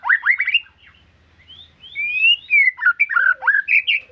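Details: White-rumped shama singing vigorously: quick upward-sweeping notes, then clear drawn-out whistles and a tumbling run of varied warbled and slurred phrases delivered rapidly.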